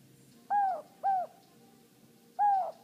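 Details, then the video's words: Hand-raised pet Inca dove, a male kept alone in Dallas, calling "no hope": a pair of smooth hollow coos, then a third coo after a pause, over faint room noise. "Necco the Inca dove makes his "no hope" call"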